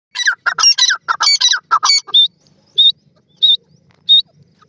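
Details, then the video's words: Partridge calling: a rapid burst of harsh, grating squawks over about two seconds, then three separate clear, high, slightly rising notes spaced roughly every half second. "Partridge New Jore Ki Calls"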